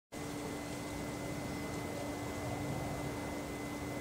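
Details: A steady mechanical hum with constant tones and broad hiss, like a fan or air conditioner; no animal calls are heard.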